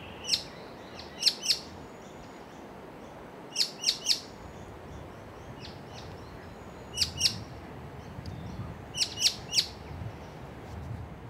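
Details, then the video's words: White-cheeked honeyeater calling to its mate hidden in nearby bush, flitting between perches: high, sharp notes in quick twos and threes, groups repeated every two to three seconds, with faint distant chirps and a steady hiss. "A White-cheeked Honeyeater zips about calling to a friend"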